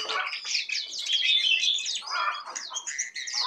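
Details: A tame Brown prinia pouring out its full 'isian' song; loud, high, rapid twitters and slurred whistles run together, with a brief drop in volume near the middle.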